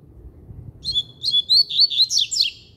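A double-collared seedeater bursts into a quick, high, twittering song of slurred notes rising and falling over about two seconds, with a low background rumble.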